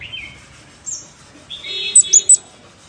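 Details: Scarlet-backed flowerpecker lure call, with a few high, thin chirps and short downslurred notes, ending in three sharp, very high ticks close together; quiet background.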